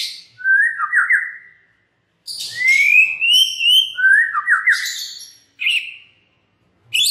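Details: White-rumped shama song used as a lure to get other shamas singing: clear whistled phrases sliding up and down, a long rising whistle near the middle, mixed with short high sharp notes and brief pauses between bursts.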